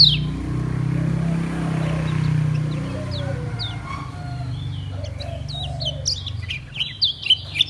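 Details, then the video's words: Kecial kuning Lombok white-eye kept in a cage, ngejos singing: after a low droning start, sharp high downslurred chips come in and grow denser and louder toward the end, with soft low whistles in the background. "SUARA KECIAL KUNING LOMBOK NGEJOS SELOW"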